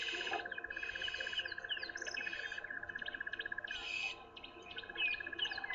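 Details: Several Burchell's starlings in a tree on a morning drive alarm-call at something unseen, possibly a false alarm. They give harsh, rapid chattering over a steady rattling pulse with sharp squeaky notes on top; soft background music.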